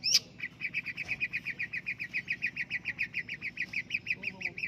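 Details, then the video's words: Contest-winning long-tailed shrike delivering an even, rapid string of identical clipped notes, roughly four each second, steady in pitch and rhythm throughout, after one loud opening note. "burung pentet juara"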